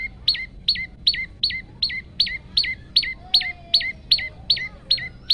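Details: Phone recording of a chatty male olive-backed tailorbird, meant to train and stimulate other tailorbirds: about fourteen loud, piercing notes, each falling sharply at the end, repeated steadily around three per second over faint background hiss.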